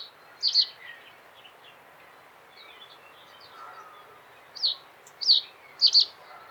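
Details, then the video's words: Common reed bunting song of brief, sharp, high chirps, some doubled, spaced unevenly with a gap midway. Light background hiss. "Как поёт Тростниковая овсянка"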